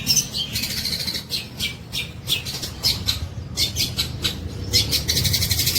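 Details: Long-tailed shrike in lively form, imitating the tengkek buto. It gives a steady series of sharp, rasping, harsh bursts, several per second, over a constant low hum.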